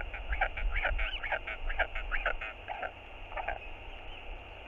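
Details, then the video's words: Hungry northern royal albatross chick on a nest cam, 7 March 2022, begging nonstop from its father for food: rapid, repeated nasal clacking notes about twice a second, over a steady low wind rumble. "小信覺得很餓~不停跟爸爸索食 QT feels very hungry"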